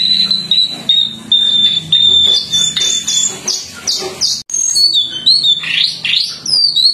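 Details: Jongkangan song used as training material for other birds to copy: long, steady high whistled notes held level and dropping slightly, then quick buzzy upward sweeps and rising slurred whistles, with soft low hum underneath.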